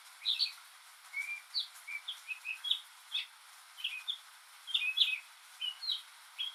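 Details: Northern mockingbird, a single male, singing in rain and copying other birds and sounds; a steady string of varied, spaced chirps and short whistles, each phrase different, with background hiss.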